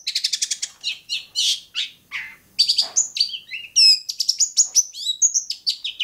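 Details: Bobotsari Long-tailed shrike delivering fast, scratchy chatter that breaks into harsh buzzy notes, then bright whistled slurs and quick repeated upsweeping phrases at high pitch.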